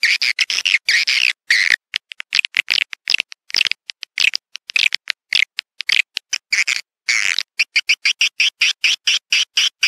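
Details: Swiftlet sound used to bring the birds into a bird house to live and nest: choppy high twittering and buzzy chirps, breaking into rapid, regular clicking pulses near the end.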